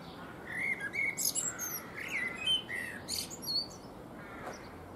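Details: Eurasian blackbird singing loudly while preening on a fruit tree: a run of clear mellow whistles and warbles mixed with sharp high squeaks and twitters, then a quieter pause, with light background noise.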